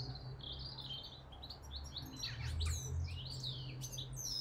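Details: Male European goldfinch singing in spring from the top of a willow tree, joined by a blue tit and a jackdaw: a high, rapid, tinkling twitter of varied chirps and trills over a steady low rumble of road traffic.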